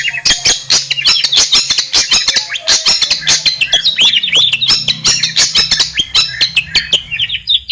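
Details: Long-tailed shrike in its natural habitat pouring out a dense, continuous chatter of scratchy chirps and warbled notes, broken by many sharp clicks, over a faint low hum.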